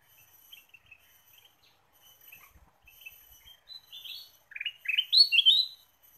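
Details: Ruby-throated bulbul (kutilang emas) lure recording of vigorous song: sparse soft chirps build into loud, rapid rising and falling whistled notes near the end, over a faint steady high-pitched whine.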